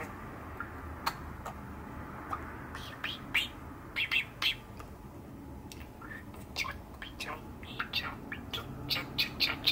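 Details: A pet male budgerigar, six years old, calls on a cold winter day in December: sparse high chirps at first, becoming quicker clicking and squeaky notes toward the end.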